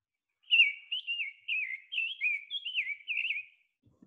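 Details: Summer Tanager song: about seven short, slurred, robin-like phrases at a steady pace, whistled with a slight burr, raspier than a rose-breasted grosbeak but less so than a scarlet tanager, in a clean recording with no other sounds.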